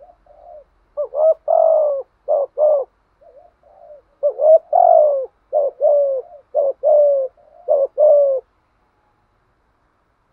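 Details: Spotted dove giving a patterned urging coo meant to make other doves coo back; low, mellow hoots in short-then-long pairs, repeated in a run of about eight phrases with brief gaps, no other sounds.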